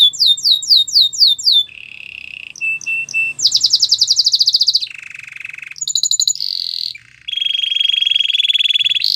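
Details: Varied training song of a white canary: falling whistles, then a low buzzy roll, short chips, a fast high pulsed trill, then lower rolls and a sustained steady trill.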